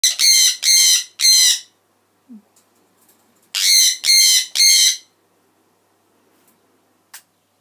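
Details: A 2-year-old Jenday conure gives its normal daily call: two bursts of three harsh, piercing screeches, each about half a second long, with a brief pause between bursts.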